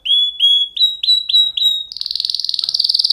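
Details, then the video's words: Canary gives six rising whistled notes spaced roughly every third of a second, then shifts into a fast, even, buzzing trill. "Kanarya sesi | Kanarya ötüşü | Canary Sound"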